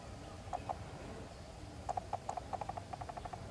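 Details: A wild African grey parrot, recorded close up, gives short, clipped whistled notes, first a pair, then a quick run of about a dozen at a steady middle pitch, over a low rumble.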